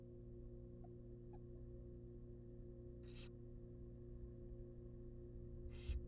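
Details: Wild barn owl nestlings in a monitored nest box, begging while being fed a rabbit: two short, breathy hissing bursts a few seconds apart over a constant low electrical hum, with faint clicks early on.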